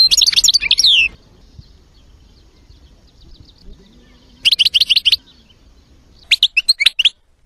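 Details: Goldfinch song in three short bursts of quick, bright, tinkling twitters, each under a second, separated by quiet gaps.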